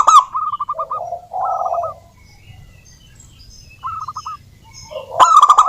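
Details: Zebra dove of a local wild strain singing to coax other doves into song: a sharp burst, quick trilled cooing runs and a lower soft coo, a quiet gap, then another short run and a clicking flourish.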